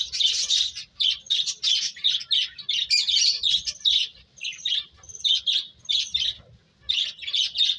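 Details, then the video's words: Birds twittering almost without a break, dense high chirps and short whistles tumbling over one another, a few brief pauses between the busy phrases. "Cute Birds Chirping Sounds"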